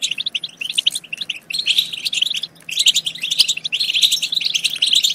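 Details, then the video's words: Goldfinch twittering meant to excite other goldfinches into singing and mating, a fast run of bright, tinkling chirps and buzzy trills in dense phrases broken by short gaps. "بتبتة تجنن الحسون وتفقده العقل بتبتات خرافية في تحفيز الحسون على التغريد بتبتة تخرج حسونك عن السيطرة"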